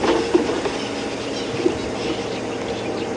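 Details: Steady rumbling vehicle noise during a morning safari drive at Djuma Game Reserve on March 10, 2016, with a low hum, a few soft knocks and no clear animal calls.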